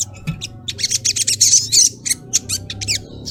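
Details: Female collared kingfisher calling the male, used as a lure recording: a dense run of sharp, high chirped notes about four per second, uneven in spacing, with a low hum underneath.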